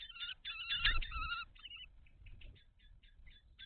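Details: At a kestrel nest box on 17 May 2023 during a food transfer, a loud trilled whine lasting over a second gives way to a string of soft, short clipped notes.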